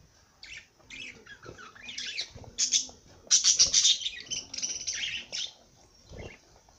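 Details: Rapid, chattering parrot song: dense runs of harsh squeaks, buzzy warbles and high chirps pouring out for about five seconds, fading to a few soft notes.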